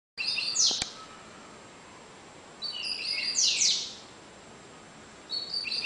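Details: Double-collared seedeater singing in the Cigano song style, with two high, tinny phrases: flat whistled notes ending in a bright descending buzzy sweep, separated by about three seconds of quiet hiss. The bird averages 30 songs per minute.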